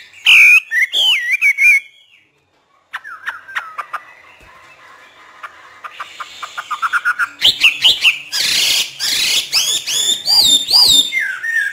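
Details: A hwamei in free-singing training with a northern Vietnamese keeper gives a few whistled notes, falls silent briefly, then builds into a quickening series of clear repeated notes and rich, loud warbling.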